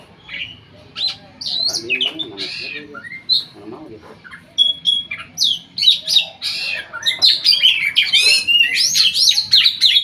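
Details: Oriental magpie-robin, a Riau province contest bird undefeated in provincial auditions, delivering a dense, varied high song of sweeping whistles, harsh chatters and rapid trills with hardly a pause throughout.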